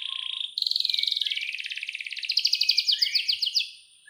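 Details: A young canary's prompting song with a long clear roll: a continuous rapid trill of high repeated notes lasting over three seconds, turning into sharper descending notes before fading.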